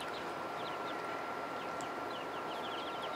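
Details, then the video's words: Ducklings in a pond give soft, high peeps, single and in quick little runs, each note falling in pitch, over a constant broad hiss. "Baby Ducks"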